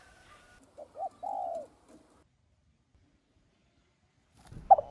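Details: Spotted dove cooing, used to lure and stimulate other doves: two short soft coos followed by a longer low drawn-out coo, then silence and a brief clatter at the end.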